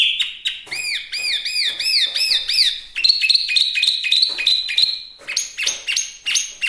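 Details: Small Chinese hwamei in vigorous song for use in tutoring and luring birds: rapid repeated arched whistles, shifting into dense fast chattering phrases and high bright notes.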